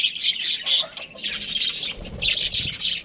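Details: Australian budgies, a breeding pair, chattering in scratchy high chirps and squawks, delivered in clustered bursts with a short lull in the middle.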